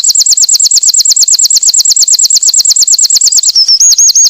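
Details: A winter wren (Troglodytes hiemalis) sings a long, fast, very high trill of about eight clear notes per second, ending in a brief buzzy shift to a new trill.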